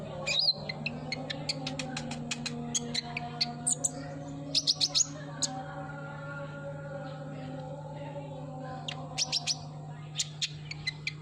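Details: Van Hasselt's sunbird (kolibri ninja) song used as a lure to make a bird that has stopped singing start again: high, sharp chirps and short trills in scattered bursts over a steady low hum and faint tonal background sounds.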